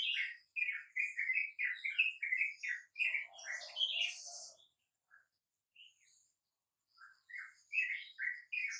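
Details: Wild sooty-headed bulbuls at dawn, answering a lure: bursts of short, bubbly, whistled notes around the middle pitch range, overlapping from several birds, with a pause and scattered single notes before the chatter resumes.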